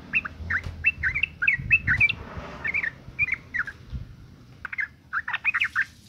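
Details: Female sooty-headed bulbul in breeding condition, calling to draw males into song: a lively chattering string of short, slightly rising and falling notes, pausing mid-way before resuming, over a low rumbling background.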